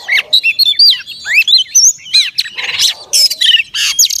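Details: Oriental magpie-robin female calling to stimulate males: rapid varied whistles, slurred rising and falling notes and harsh buzzy squawks packed closely together.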